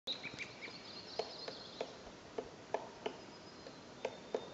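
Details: Acorn woodpecker (Melanerpes formicivorus) in Yosemite's Mariposa Grove calls: a few thin high chirps, then a loose series of sharp knocking notes about a third of a second apart, over steady outdoor hiss.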